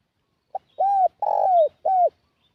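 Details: Single cooing phrase from a spotted dove kept as a lure for wild doves: a short soft pip followed by three mellow coos, the long central note drawn out and dropping at its end.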